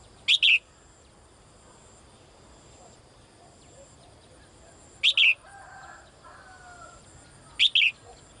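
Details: A caged female bird calling for the male gives short, bright double notes in quick pairs, repeated roughly every two and a half to five seconds, over a soft continuous background hum.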